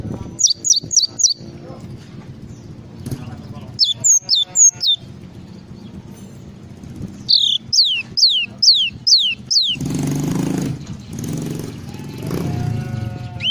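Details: Java sparrow song in full isian style: a quick run of four high down-slurred whistles, then slower sets of three and of about six similar sweeping notes. A broad rushing noise follows near the end.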